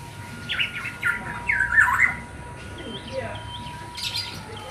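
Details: Black-naped oriole chick calling to draw in the adult birds: a few loud, hoarse squawks, some rising and bending, clustered in the first two seconds, then softer scattered calls over a steady faint tone.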